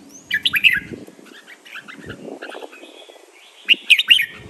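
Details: Red-whiskered bulbul training song in the len rik, nap dok, mae bot and lak wai styles. Warbled whistled phrases open and close the passage; softer chattering and lower murmuring sounds fill the middle.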